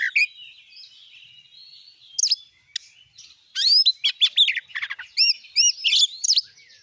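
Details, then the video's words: Oriental magpie-robin song played to coax a kept magpie-robin into song: a quiet, scratchy start, then a lively burst of rapid chirps, slurred loops and sharp whistled notes. "jadikan burung Kacer anda cepat gacor dengan pancingan burung Kacer ini"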